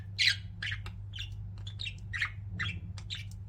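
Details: Pet budgerigars chirping indoors: a string of short, bright chirps about every half second, some sharper and squawk-like, over a steady low electrical hum.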